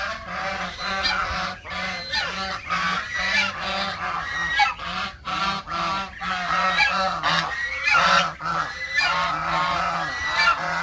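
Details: A flock of backyard geese honks continuously for about eleven seconds, many overlapping nasal calls forming a dense, noisy chorus.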